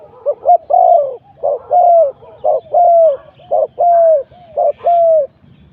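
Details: Spotted dove decoy at luring spot 41 sings a steady, regular run of four cooing phrases, about one per second. Each is a short hoot followed by a long, slightly descending coo.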